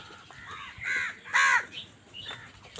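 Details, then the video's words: Crow squabbling over food gives loud, rasping caws that swell in strength. Two strong harsh calls close together are followed by a softer, higher squawk. "কাকের ডাক Crow Sound Crow ki Awaz Loudly | Crow bird Fight for Food"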